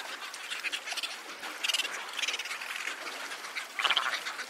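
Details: Cape petrel calling: dense, harsh cackling and chirring bursts, rapidly pulsed and overlapping, rising and falling in loudness throughout, with a louder grating burst near the end.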